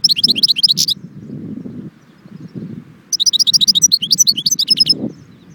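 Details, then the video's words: European goldfinch song from Jbel Wahch near Constantine: rapid liquid twittering phrases of quick, high notes, one burst at the start and a longer, fuller run after a pause, over faint low rumbling noise. "chardon chant"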